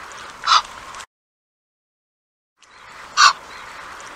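Two harsh, honking calls from an Egyptian Goose, a few seconds apart, over a steady background hiss.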